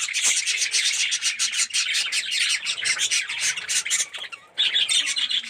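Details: Many budgerigars, yellow birds with red eyes, chattering together in an aviary colony: busy overlapping chirps and rasping warbles, briefly dipping quieter near the end before the chorus resumes.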